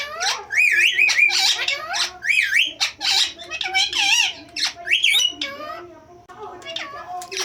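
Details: A talking rose-ringed (ringneck) parakeet chatters rapid, high, nasal imitations of Hindi words, with swooping squawky syllables strung together in quick bursts.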